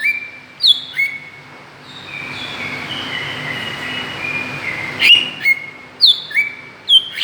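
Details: Greater green leafbird lure calls meant to provoke other birds: sharp slurred whistles and short level tones in scattered bursts, separated by a long drawn-out whistled passage, over a faint low hum.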